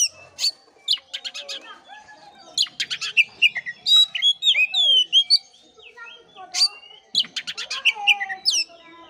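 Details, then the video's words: Oriental magpie-robin singing, used to rouse a sluggish bird to sing: long rich phrases of sharp chirps, rising and falling whistles and rapid trills in dense bursts separated by short gaps. "pancingan kacer jitu dan ampuh buat kacer loyo kurang ber gairah"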